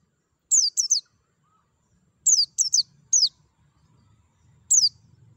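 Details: White-eye giving clipped, high-pitched chirps that slide downward, in pairs and threes separated by pauses of a second or more, over a soft low hum; played to encourage singing.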